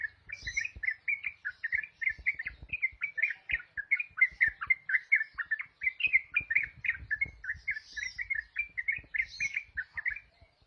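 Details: Continuous rapid chattering song of a yellow-vented bulbul in the ropel style, with tight bursts of warbled, chirping notes running nearly without pause for ten seconds. Faint soft clicks are heard underneath.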